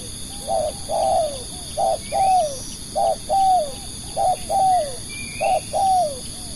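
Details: Spotted dove kept as a decoy bird to lure other doves, cooing in repeated phrases: two short clipped notes, then a longer mellow coo that slides downward, given four times in about six seconds over faint chirping of other birds and a steady insect hiss.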